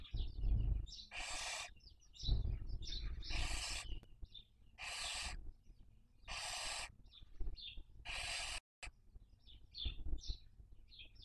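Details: Barn owl nest in Cabañeros National Park, Castilla-La Mancha, Spain, recorded by webcam in the 2023 breeding season while raising young. Long harsh hisses come roughly every two to three seconds, interspersed with many short, high, chirping notes.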